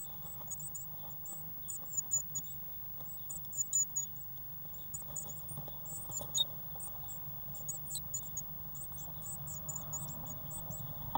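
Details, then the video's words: Eurasian blue tit chicks growing fast in a nest box on 1 June 2016, giving high, thin, rapid squeaky begging notes in irregular bursts, with a steady low hum in the background. "Blue Tit Nest Box 1st June 2016"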